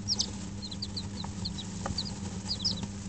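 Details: Young Dutch bantam and Barbu d'Anvers chicks, five days old, in a heated brooder: clusters of high, short falling peeps with brief gaps, a faint knock and a continuous low hum behind.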